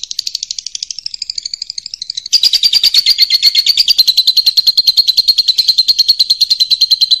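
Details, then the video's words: Lovebird giving a long, high, rapid chattering trill, about three pulses a second, growing louder partway and running on without a break; a training recording set over flowing water. "MASTERAN BURUNG LOVE BIRD"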